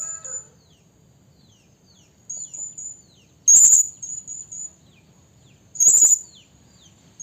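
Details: Very high, thin Blue-crowned hanging parrot notes from a female used as a trapping lure, with two loud, piercing shrill bursts about two and a half seconds apart and faint lower chirps at the start.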